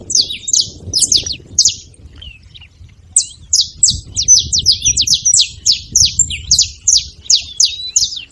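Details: Saffron finch making noise: rapid runs of sharp, high chirps, each a quick downward stroke, a brief pause near the two-second mark, then a dense steady series to the end over a faint low rumble.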